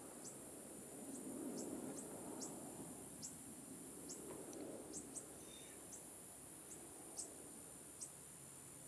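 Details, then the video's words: Juvenile fork-tailed sunbird calling in Hong Kong: very high, thin, short notes repeated irregularly about once or twice a second, over a steady high insect whine and low background rumble. "Fork-tailed Sunbird Juvenile/Baby Call"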